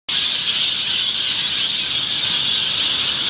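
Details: Thousands of rainbow lorikeets at Yeppoon Main Beach, Queensland, at dawn on 1 June 2013, making a dense, continuous wall of shrill, high screeching from countless overlapping calls with no pause.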